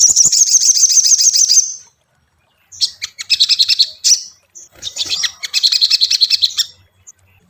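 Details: Crimson Sunbird song meant to provoke caged birds into singing: a quick, high-pitched buzzy trill, silence, then two bursts of clipped, rattling, very high chirps.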